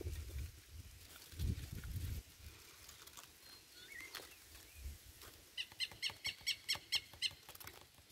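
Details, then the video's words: A rufous-bellied thrush chick, filmed 28 November 2022, gives a quick run of about eight harsh, scratchy notes, roughly three per second, after low rumbling noise and a few faint whistles. "FILHOTE SABIÁ LARANJEIRA"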